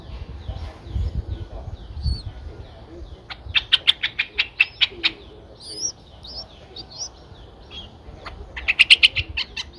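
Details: Young Streak-eared Bulbuls at nine days, eyes opened two days earlier, Ubon Ratchathani, Thailand, April 2023: faint wavering whistles, then an evenly spaced series of chips, a few scattered notes, and a final quick flurry of chips.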